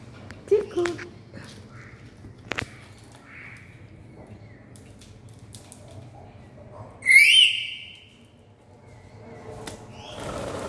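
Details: Single loud, harsh, harmonic screech from a Black-capped lory, slightly wavering, surrounded by quiet clicks, taps and a few soft short notes.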